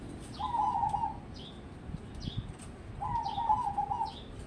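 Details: Crossbred zebra dove (perkutut), a prospect for song contests, gives two rolling, trilled coo phrases about two and a half seconds apart, while thin, sharp descending chirps from another bird repeat above it.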